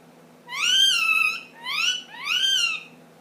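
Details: Ten-month-old pet ring-necked parakeet making funny noises indoors: three loud, rising-then-falling harmonic squawks, the last two close together, in a quiet room.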